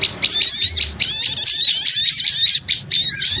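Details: Small birds in a noisy chorus used as a lure sound: dense, loud, high-pitched chirps and squeaky twittering notes run almost without pause, with brief gaps near the start and end.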